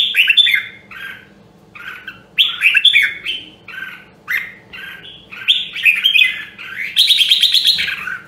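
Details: Loud, clear song of a red-whiskered bulbul from Nam Dong, Hue, in voice training: bright warbling phrases with rising and falling whistled notes, separated by short pauses, ending in a long rich burst.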